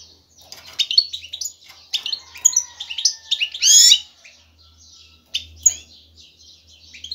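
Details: Male European goldfinch courting a female with his song: chattering twitters and chirps, one harsh buzzy burst in the middle, over a low background hum.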